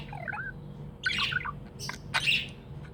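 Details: Happy pet budgie indoors: a soft wavering whistle, then a burst of scratchy chatter and two bright squeaky chirps, low hum in the background.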